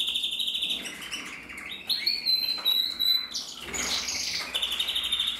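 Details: Captive-bred male canary of the red mosaic isabel colour, red-masked, 2024: rapid twittering song switching between short pure whistles, dry rattles and rolling trills, with brief pauses between phrases.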